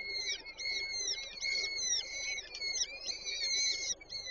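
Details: Peregrine falcon nestlings being fed by their mother at a Warsaw Żerań nest in May 2023 keep up a busy run of shrill, bending, chirping squeals that overlap into an excited chatter.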